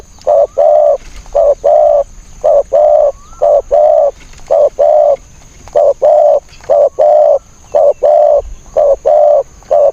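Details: Decoy spotted dove luring wild doves, cooing continuously: short stuttered notes each followed by a longer smooth coo, mid-pitched and mellow, repeated roughly once a second with even rhythm.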